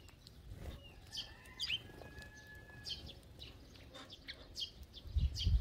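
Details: Sparrows feeding as a flock: quick sharp chirps scattered throughout, a few thin drawn-out whistles, and wingbeats with low thumps near the end.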